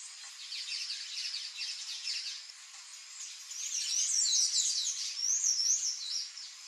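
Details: Palm tanager (Thraupis palmarum) singing: a continuous, rapid, squeaky high-pitched twittering of thin notes, quieter at first and growing louder and busier in the second half, with no other clear sounds.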